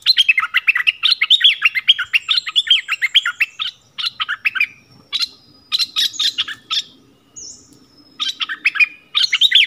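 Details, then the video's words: Yellow-vented bulbul decoy song from 20 March 2021, meant to draw in wild birds: long runs of bubbly, chattering notes broken by short pauses, with a few thin, high drawn-out whistles in between. "เสียงต่อนกดอกแตง Ep.37 นกป่าถึงกับ งง!! Burung merbah kuning"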